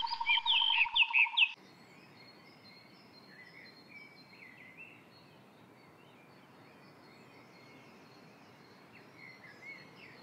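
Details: Indian grey hornbill, one of a pair seen from a window, gives a loud shrill squealing burst lasting over a second, then falls quiet while faint high chirps of small birds continue.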